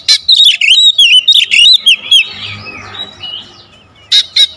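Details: Magpie-robin (kacer) pancingan song in the close-fired 'tembakan rapat' style: a rapid string of loud, ringing whistles with wavy upslurs, then quieter rambling warbles, ending with two sharp, piercing notes.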